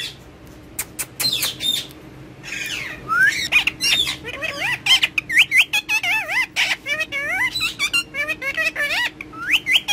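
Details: Ringneck parakeet kept as a pet, chattering and talking in Urdu and Hindi beside a mobile phone: wavering, looping harmonic syllables and quick squawks in dense bursts after a quieter start.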